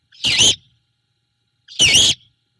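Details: Great horned owl at a Savannah nest on 21 February 2022 at night. The female resettles after bringing a rat, delivered by the male, to her owlet. Two loud, rasping, screechy notes about one and a half seconds apart.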